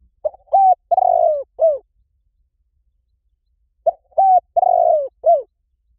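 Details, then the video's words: Decoy call of a spotted dove meant to bring doves in from any forest: two identical four-note phrases of soft, low coos about three and a half seconds apart, each ending in a falling note, with silence between. "เสียงนกเขาใหญ่ หมานๆ ต่อเข้าเร็ว ป่าไหนก็เข้า"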